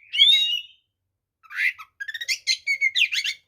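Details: White-rumped shama (kacer) fighting song, used to provoke other shamas: a long rich whistle opens, then after a pause a fast series of varied chattering and whistled notes.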